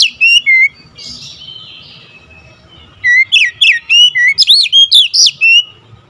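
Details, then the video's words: Oriental magpie-robin singing fiercely: a brief whistled phrase opens, a soft high trill follows, then after a lull a dense stretch of loud, looping, up-and-down whistles delivered quickly. "Kacer anda cepat ngamuk ngotot"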